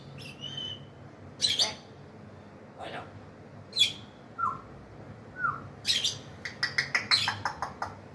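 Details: Grey African parrot giving a varied run of sounds: short high chirps, two brief falling whistles near the middle, and loud harsh squawks, ending in a quick stuttering burst of clipped notes.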